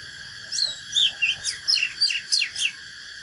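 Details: Oriental magpie-robin fighting song for training birds, a bright run of whistled notes and sliding downward sweeps, about seven phrases in quick succession against a constant hissing background.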